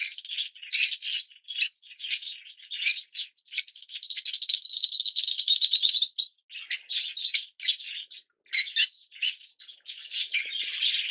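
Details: A flock of captive Yellow Fischer's lovebirds keeps up a dense, rattling, high-pitched chatter of sharp chirps and buzzy squeaks for over ten seconds, with brief pauses.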